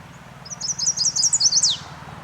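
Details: Chestnut-sided warbler song: a quick run of about eight high, sweet, slurred notes that build in loudness, closing with a louder, sharply down-slurred final note. A faint low hum sits underneath.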